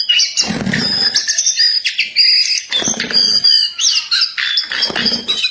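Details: Actively singing wild jongkangan: high chirps and whistled slurs in chattering phrases, broken by a few dull thumps.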